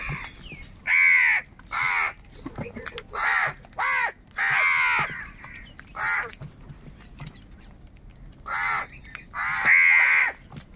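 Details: Crows calling angrily while fighting for food: harsh rasping caws given singly and in short bursts, irregularly spaced, over a constant background hiss.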